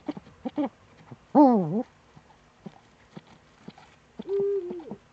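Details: Eurasian eagle-owl, Eifel region of Germany, morning of 26 September 2013. A few sparse ticks come first, then one loud falling, buzzy wail near the middle. A steady, slightly drooping tone closes the clip.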